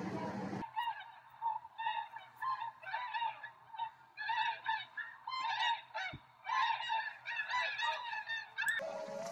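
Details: Tundra swans near Rosedale and Munson, Drumheller, Alberta, Canada, calling in a flock: a dense chorus of high honking notes with rich harmonics, overlapping bouts of excited calling that rise and fall, with a steady low hum beneath.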